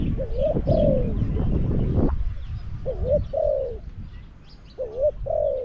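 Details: Decoy spotted dove, caged to lure wild birds at Song Phi Nong. A burst of loud rustling opens the recording, then three clear coo phrases follow, each a wavering upslurred note and a smooth falling coo.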